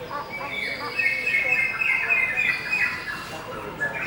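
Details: Cucak hijau, the greater green leafbird, gives a rapid warbling of high chirps and wavering notes, roughly three or four per second, over faint background noise.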